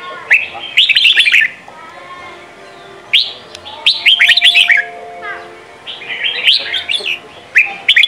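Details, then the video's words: Sông Kon style Red-whiskered bulbul singing, played as daily voice training for young birds: bursts of rapid, chattering whistled notes about every two to three seconds, separated by short quieter pauses. "Chào mào hót: 35 phút Luyện giọng Sông kon mỗi ngày! เสียงฝึกลูกนก | นกปรอดหัวโขน"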